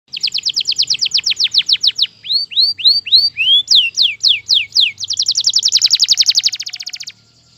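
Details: Bird giving a sound described as strange: a fast run of sharp downslurred notes, then slower, louder sweeping whistles rising in pitch, then a rapid high buzzy trill that stops abruptly near seven seconds.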